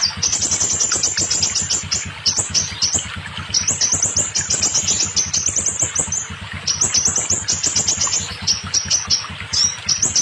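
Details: High, piercing, rapidly repeated rising notes from a scarlet minivet, in long bursts with brief pauses, played to bring stalled or molting birds into song; low steady pulsing in the background.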